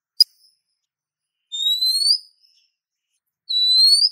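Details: Female Oriental magpie-robin calling to a male: a short click, then two long, thin upslurred whistles about two seconds apart, each rising steadily in pitch.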